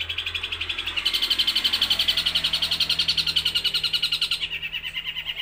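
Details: Long-tailed shrike, eight months old, from Jember, East Java, in one unbroken breath mimicking sparrow, kuntilanak and tengkek buto material: a dense, fast run of high chattering chirps repeated about four times a second, steady throughout.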